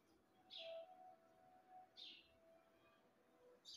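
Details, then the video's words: Pet parrot uttering short, sharp chirps, one at the start, another after about a second and a half and a third cut off at the end, over faint steady tones. "Super Cute Parrot Sound || Parrot Ki Aavaj"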